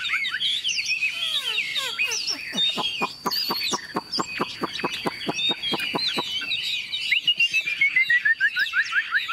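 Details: Tame, newly acquired caged Chinese Hwamei with yellow legs and bill, hung up and singing: rich varied phrases of sweeping whistles and slurred notes, then a fast run of sharp repeated clicking notes, ending in rapid high whistled trills.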